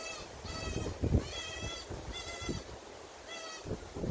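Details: Common cuckoo chick, a brood parasite raised by a magpie foster parent, screaming to be fed: loud, harsh, nasal calls, each about half a second long, repeated roughly once a second, over a low rumbling background.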